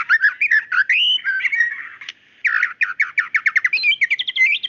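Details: Female white-rumped shama calling to a male: slurred, warbling whistles, then a brief hush, then a fast series of sharp, evenly spaced chips rising into high twittering notes. Nothing else is heard.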